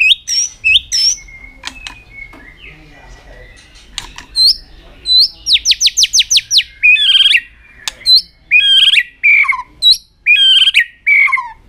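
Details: White-rumped shama in aggressive tail-flicking display to stir up other birds: an opening of whistles and clicks, then a fast series of rising high notes, followed by harsh descending squawky phrases with short gaps.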